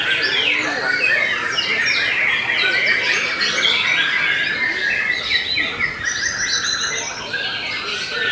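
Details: Steady Belanda-type white-rumped shama delivering rapid high whistles and chattering notes, about four per second, dense and unbroken, tailing slightly softer near the end.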